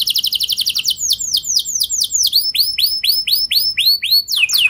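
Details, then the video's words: Canary lure song to get other canaries singing: a quick high trill followed by loud, ringing downslurred whistles repeated about three per second, ending in a sharper rising-falling note. "Pancingan Kenari Biar Gacor Ngeroll Panjang! Dijamin Kenari Lain Pasti Langsung Nyaut Emosi Ngeroll"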